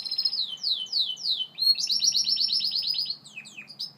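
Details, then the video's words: Singing Gloster canary delivering a series of descending slurred whistles, about three in a row, followed by a fast, bright rolling trill and brief chirps, loud in a quiet setting. "Gloster Canary Bird Singing"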